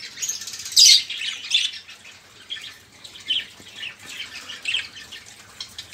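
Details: Budgerigars in a noisy, busy flock, kept as caged birds and used to prompt silent songbirds to sing; scattered raspy squawks and chirps, loudest near the first second, then softer warbling chatter.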